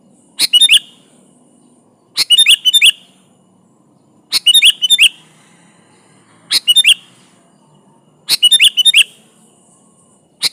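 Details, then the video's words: Sooty-headed bulbul, kutilang gacor, singing to attract a rival: five short bubbly phrases of chirping notes repeated about every two seconds. "di Pancing Suara burung kutilang gacor ini Ampuh memanggil lawan"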